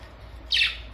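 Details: Pet budgerigar at home, recorded May 24, 2023; a single brief, raspy chirp that starts high and drops slightly, over a low background hum.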